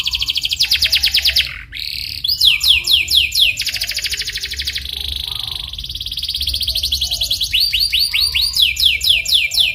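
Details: Canary singing in the rolling style as a lure to make another canary sing: fast pulsed trills, a brief gap, rising slurred notes in series, then long smooth rolls and renewed quick trills.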